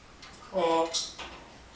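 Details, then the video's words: Pet female red-tailed grey parrot (Yaco), a very talkative mimic with a large repertoire of words and phrases, imitates speech indoors: a single voiced, word-like syllable about half a second long, ending in a short hiss, in a quiet room. "Yaco o loro gris de cola roja, imitando un poco"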